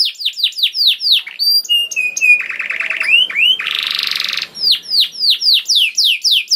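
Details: Canary singing a lure song meant to make other canaries sing: repeated falling whistled notes, a steady flat note, a fast rattle, a harsh buzzy burst, then more downward sweeps repeated about four per second.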